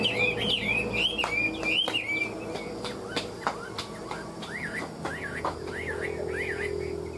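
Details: Caged tame Chinese hwamei, noted as a strong fighter, giving ngũ trường song: looping whistled phrases early, then a run of repeated slurred up-down notes about four per second, broken by sharp clicking knocks.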